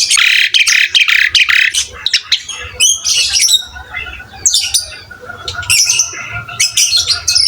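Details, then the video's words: Asian pied starling gacor song meant to stimulate other starlings: a rapid string of loud harsh rasping notes, then scattered shrill chirps and squeaks over a fainter background of chatter and low hum. "MASTERAN BURUNG JALAK SUREN GACOR"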